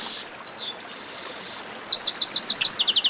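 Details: Chestnut-capped blackbird 'baderna': a buzzy, hissing phrase first, then a rapid, rhythmic string of bright chirps, about eight in a row, with a faster short trill at the end.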